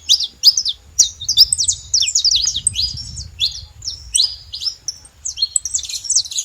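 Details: Saffron finch singing a rapid, continuous string of high, sharp chirps and short trills, with quick notes tumbling over one another and a faint low rumble underneath.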